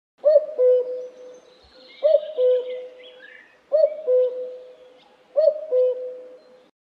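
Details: A common cuckoo (Cuculus canorus) sings its low, hollow two-note 'cuck-oo', the second note lower, four times about every one and a half seconds, with faint high bird calls behind.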